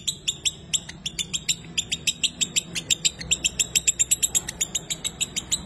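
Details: Ngekek chatter of a fighter lovebird, used as a lure to get lovebirds singing: a long steady run of sharp, high, stacked chirps, about four or five a second, over a faint low hum.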